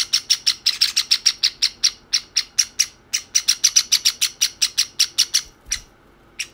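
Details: A white and a sakura Java sparrow chick beg from each other instead of feeding themselves. Quick, shrill chirps come in clustered runs, then thin out into a quiet tail with one last note.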